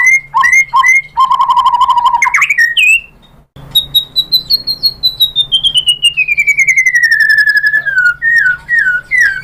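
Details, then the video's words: White-rumped shama song used to provoke other birds into singing: rapid repeated mid-pitched whistles, a short pause, then a long run of rhythmic chattering notes sliding slowly downward, over a steady low electrical hum. "KICAUAN MURAI BATU bikin NYAUT ikut BUNYI jadi GACOR"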